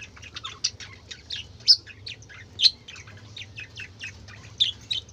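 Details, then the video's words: Colourful caged budgerigars chattering: a dense stream of short, high, scratchy chirps and squeaky notes with a few louder sharp peaks, steady low hum underneath. "কালারফুল পাখিদের চেঁচামেচি ৷ বাজিগর পাখির ডাক"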